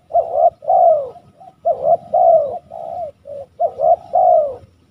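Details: Hoarse, purring coos from a spotted dove in West Java, paired notes each ending in a longer descending roll, three phrases within a few seconds over a soft low hum.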